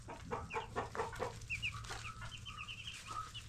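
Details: Ten-day-old broiler chicks: a few lower, rapid notes at first, then clear high peeps in quick pairs and runs, amid rustling and a constant hum.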